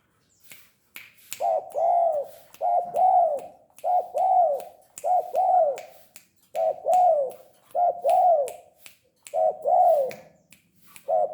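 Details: A tame spotted dove in full voice gives a long series of mellow, hooting double coos, each swelling and dipping, about one per second, with sharp clicking taps scattered throughout.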